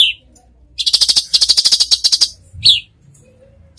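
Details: Cucak cungkok masteran: a short clear whistled note, then a second-and-a-half run of rapid, harsh rattling notes, then another brief whistled note.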